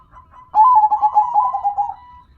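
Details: Local zebra dove song: a long burbling phrase of quick pulsed coos lasting about one and a half seconds, trailing into a thin steady note, with a faint note before it.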